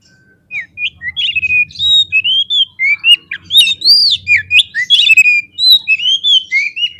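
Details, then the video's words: Oriental magpie-robin song used as a lure to provoke other kept birds into fighting: a rapid, varied string of loud whistled notes, slurred upward and downward, with chattery bursts and almost no pauses. "SEKALI PLAY KACER KALIAN PASTI LANGSUNG NGOBRA !!! KEPANCING EMOSINYA FULL FIGHTER"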